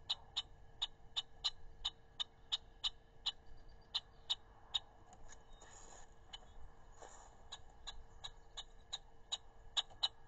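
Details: A red-winged blackbird mobbing, on May 31, 2021, repeats sharp, dry chek notes at an even pace of nearly three per second, with a faint steady hum underneath.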